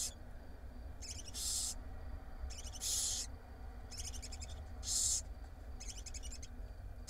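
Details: Barn owl nestlings in an Israeli nest-box camera, six chicks fed by their mother, give repeated rasping hisses about every second and a half, alternating with softer rattling, stuttered chatter; low background hum throughout.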